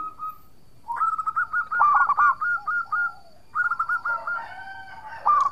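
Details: Energetic local zebra dove song, used as a lure so rival doves respond: a rapid rolling series of short cooing notes in two bursts, separated by a short pause, with a final hooked note at the end.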